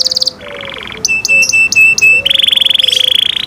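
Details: Canary in cenkok song: a high trill, a lower buzzy roll, a series of five clean piping notes, then a long rapid rolling trill.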